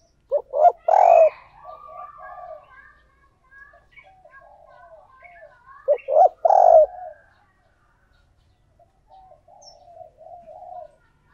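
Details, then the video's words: Decoy spotted dove cooing to attract other doves: two loud harsh bursts, each followed by a trailing string of soft low coos, then quieter coos near the end. "Chim Cu Mồi Thúc Gù Gáy Gọi/ Tiếng Chim Cu Gáy Kích Bổi"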